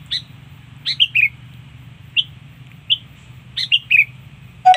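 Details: Sooty-headed bulbul lure song: bright whistled notes in twos and threes sliding downward, spaced about a second apart, ending in a sudden loud broadband click, low hum throughout.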